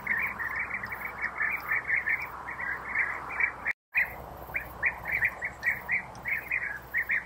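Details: European bee-eaters feeding nestlings in their burrows after preparing insects. Rapid series of short rolling chirps, packed closely at first, then more spaced, with a brief dropout midway.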